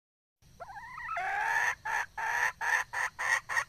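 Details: Red junglefowl hen opening with a drawn-out wavering nasal whine that slides into a steady series of sharp, rasping clucks, roughly three to four per second.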